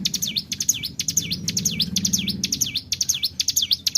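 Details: Hill prinia (ciblek gunung) singing in the 'tarikan bren' style, used as a lure to make other birds sing: sharp high V-shaped notes, each swooping down and back up, repeated about twice a second over a low background hum.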